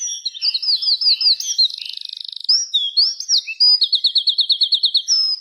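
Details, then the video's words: Afternoon dusk birdsong: bright, high chirps in quick repeated series, a brief buzzy rattle, sharp downslurred notes, then a rapid regular train of rising chirps, about eight per second, clear and close with no other sound. "the sound of birds chirping in the afternoon"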